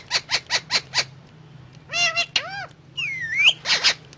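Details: Indian ringneck parrot talking while eating guava: five loud, evenly spaced raspy syllables, then arched ringing chatter notes and a long wavering whistle that dips and climbs, ending with two harsh bursts.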